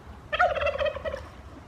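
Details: A male turkey heard in the background gives one rapid, rattling gobble lasting just under a second, mid-pitched and bubbling, then fades out against a faint low hum.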